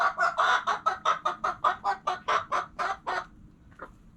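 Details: Hens giving a rapid run of about sixteen sharp clucks, roughly four per second, which stops abruptly and leaves one faint final cluck in the quiet.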